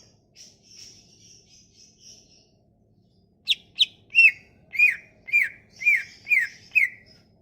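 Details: Sumatran leafbird song used as a lure to draw out leafbirds that have stopped singing: faint high buzzy notes at first, then about eight loud sharp whistled notes, each dropping in pitch, given in a quick irregular series.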